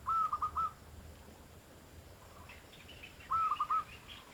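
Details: Zebra dove call meant to lure wild doves: two short phrases of quick, rolling coos, each a rapid run of four notes, separated by a quiet pause with faint background noise.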